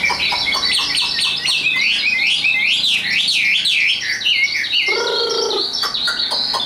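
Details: A tame caged Chinese hwamei kept for singing contests pours out fast, rich whistled phrases, repeated swooping notes tumbling up and down, with a short low harmonic sound partway through and steady background noise.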